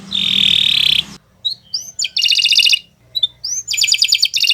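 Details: Canary singing long song for training other birds: a steady whistled tone about a second long, then short upslurred notes and bursts of rapid buzzy trills.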